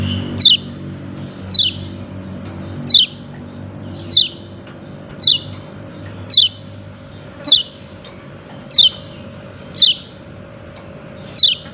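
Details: Repeated "ciak ciak" calls of a yellow-breasted white-eye: ten high, falling chirps spaced roughly a second apart, with a faint steady drone underneath.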